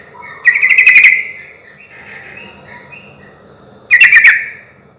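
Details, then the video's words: Sooty-headed bulbul song used as a lure to make silent bulbuls answer: two bursts of bubbly, warbled notes, each about half a second long and three seconds apart, with faint softer notes between. "suara trucuk gacor ini ahlinya bikin pancingan trucuk yg macet akibat ombyokan pasti nyaut bunyi"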